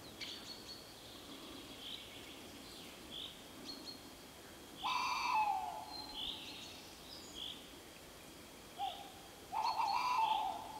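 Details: Tawny owl giving long quavering hoots, one at about five seconds and another near ten seconds, with a short hoot before it; steady high-pitched insect or bird tones run throughout.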